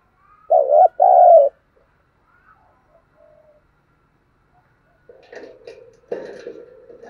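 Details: Spotted dove giving thúc gù coos, known for a rural-style voice: two low throaty coos open the recording. Quiet follows, then muffled mixed noise and voices fill the last seconds.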